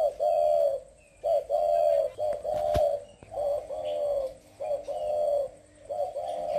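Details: Spotted dove song from Vietnam, presented to dove hobbyists: a series of low, mellow coo phrases. Each is a brief lead-in note then a sustained hum-like coo, repeated steadily, with a sharp click partway through.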